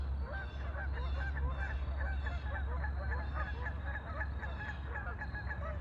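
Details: A flock of ducks on a lake calling busily, with rapid, overlapping nasal notes repeated several times a second over a constant deep hum.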